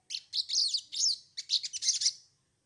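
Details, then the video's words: Sogon song played as a trigger for singing: a rapid, dense run of high twittering phrases, warbled and tumbling, ending abruptly after about two seconds. "pancingan sogon bahan agar bunyi"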